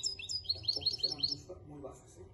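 A European goldfinch sings a quick, tinkling twitter of bright high notes for about a second and a half. A radio voice murmurs in the background.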